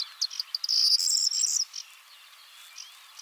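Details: A male corn bunting (Emberiza calandra) singing on a twig in the Czech Republic gives a brief, high jangle: a few dry ticks speeding into a scratchy, glassy rattle lasting about a second, then quiet background.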